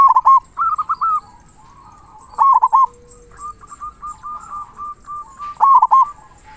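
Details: Zebra dove, local bird kept as a singing master for other doves, voicing its big 'kung' song. Rapid grouped coo notes come in several loud bursts separated by softer, quieter cooing phrases.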